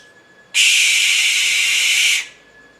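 A Barn Owl gives one long, harsh, hissing screech lasting about a second and a half, rasping and steady, then stops. A faint high hum sits behind it.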